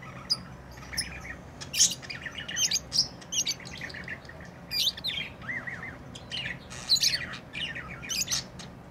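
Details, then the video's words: Pet lovebirds, tamed, give bright chattering chirps: scattered sharp high notes and short rasping squawks in uneven clusters, with soft low background noise. "Love birds beautiful Love ❤️ | chirping sounds"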